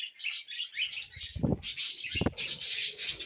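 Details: Budgerigars being tamed chirp and warble, starting with scratchy twitters and then building to louder dense chatter, with two low thumps or flutters between.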